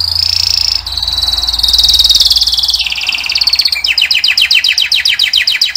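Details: Male singing canary: a high dense buzzing trill slides lower, then breaks into separate downward-swept notes repeated about four times a second.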